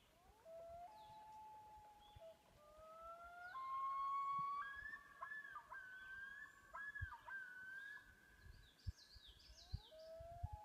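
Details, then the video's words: Several common loons calling on an Adirondack lake: long sustained wailing tones that rise and fall and overlap, some breaking upward into higher notes, with faint bird chatter at the end. "Loon Calling"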